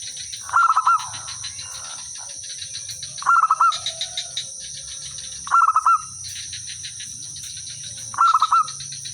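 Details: Local zebra dove calling to draw answers from other birds: four short rattling coo phrases at intervals of about two and a half seconds, with a constant high insect drone behind.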